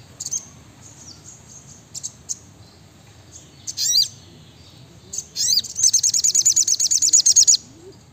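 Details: Brown-throated sunbird, known locally as sriganti or sogok ontong, in lively song: scattered high sharp chips, then a fast rattling trill of about fourteen high buzzy notes near the end.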